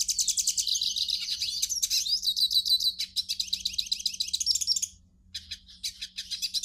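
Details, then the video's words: Hooded siskin song played to warm up a caged bird: lively high twittering and trilled phrases, a steady series of quick pulsed notes, a brief pause, then more chirps. "CANTO do PINTASSILGO para ESQUENTAR"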